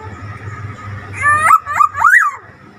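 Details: Black-naped oriole with an odd voice: three or four harsh, nasal notes that rise and then drop, delivered in quick succession above a low background hum.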